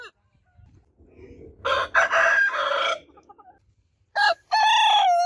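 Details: Roosters crowing, a rough, noisy crow followed by a clear ringing one that falls in pitch toward its drawn-out end, with faint low rumbling beforehand.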